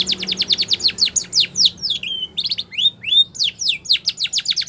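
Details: Training song of a Spanish Timbrado canary, a rapid staccato run of falling whistled notes, a few longer level and rising whistles, then another quick descending series.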